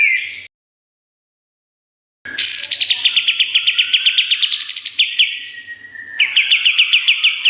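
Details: Kapas tembak singing in long, fast strings of sharp, whistled chirps, repeated almost four times a second, on a master recording for training songbirds.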